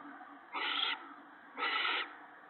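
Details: Owl at a nest on the evening of March 19, 2017, as the male brings mice and a rabbit to his mate and owlets. Two harsh, breathy hissing screeches, each about half a second long, about a second apart.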